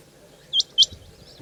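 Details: A single pair of piercing, high, clipped notes from a female rain quail, or chinga batair, the two syllables a quarter second apart against near silence.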